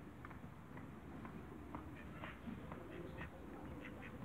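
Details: A pair of mallard ducks give short, nasal quacks about twice a second over a steady low rumble of background noise.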